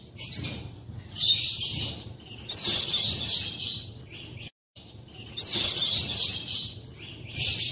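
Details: Aviary African lovebirds of opaline, greywing and edge mutations call on an April 2024 morning. Their harsh, high-pitched chattering comes in long sustained bursts, with a brief silent break midway.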